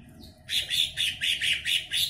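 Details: Caged greater green leafbird, a former contest bird noted for its loud voice, gives a rapid series of harsh, buzzy, high notes, about six in quick succession.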